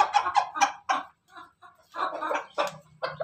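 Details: Ayam ketawa or ayam pelung rooster: a crow of choppy, stuttering bursts, several quick syllables, a short pause, then more broken phrases, with a low hum underneath.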